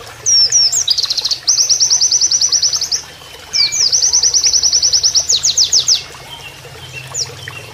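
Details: Oriental white-eye delivering canary-style song for training other birds, flowing water in background: high twittering notes leading into long, very fast, even trills, repeated twice before trailing off.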